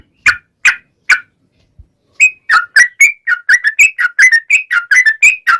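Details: Sooty-headed bulbul, a lively singer used as a lure for other bulbuls. Three spaced single notes are followed by a brisk series of short warbled whistles that alternate higher and lower pitch.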